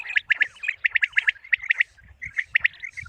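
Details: Common quail call used for quail hunting: rapid sharp triple notes, closely spaced and repeated several times in quick succession, with faint chirps and a low rumble behind.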